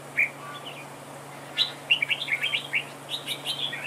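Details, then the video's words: Decoy red-whiskered bulbul dueling at a trap, opening with one clear whistle, then a fast chattering string of warbled, slurred notes at roughly three per second; a low steady hum runs underneath. "Bẫy đấu chào mào cực đẹp, hót cực hay"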